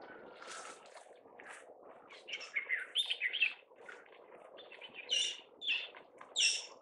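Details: Alexandrine parakeet under a blue sky in Hong Kong, giving loud, harsh, grating screeches in uneven bursts, about six in seven seconds, over a steady low background hum.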